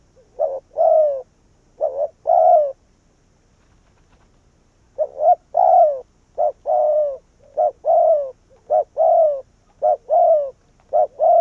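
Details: Decoy spotted dove calling wild doves in: a couple of cooing phrases, a two-second pause, then a rapid series of about eight short phrases of hoots and falling croons.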